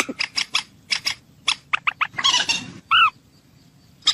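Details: Common moorhen calls for hunting: irregular sharp clicking notes, then a rough rasping stretch, a loud clipped whistle-like note, and a single final click after silence.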